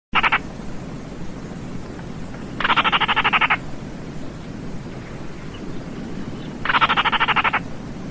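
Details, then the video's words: Baillon's crake giving dry, frog-like rattles of rapid clicking pulses, each lasting under a second, repeated about every four seconds over a steady low background hiss. "SUARA BURUNG RAWA TIKUSAN KERDIL"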